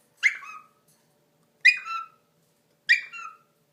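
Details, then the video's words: Pet Indian ringneck parakeet playing peekaboo and making silly noises indoors: three short harsh calls, each with a sharp bright start and a lower falling tail, spaced about 1.3 seconds apart with silence between. "Indian Ringneck Peekaboo's and Makes Silly Noises"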